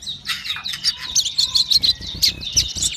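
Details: Sogon in vigorous song, a dense stream of high twittering and squeaky notes run together with little pause, with low knocking sounds in the background.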